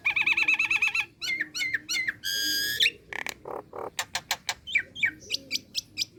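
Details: Female Nias hill myna calling to a male in a relaxed manner, a recording suited to luring birds: rapid wavering warbled whistles, then a run of rising whistled notes, a harsh rasping squawk, and sharp clipped notes repeated about three per second.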